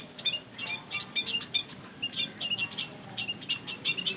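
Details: Lure call of white-headed munias: quick high squeaky chirps in uneven clusters, several birds calling over one another, with soft background rumble.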